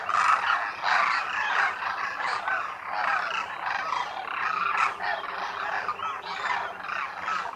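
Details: Winter flock of Demoiselle cranes (Koonj) at a lake near Khichan, Thar Desert, Rajasthan, India; many birds calling at once, with dense rattling, croaky notes that pulse irregularly throughout.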